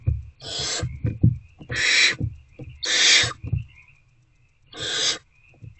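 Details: Owlets in a nest box at 8:13 pm, February 2024, hungry and tackling a rodent again: four rough hiss bursts separated by clattering knocks and scuffles, with a continuous faint hum.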